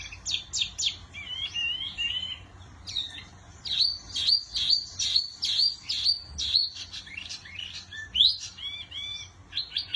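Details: Mini wambi singing energetically: a fast stream of sharp, high chirps and clipped whistles, repeated in quick rattling runs and short warbled phrases with barely a pause, over a faint low hum.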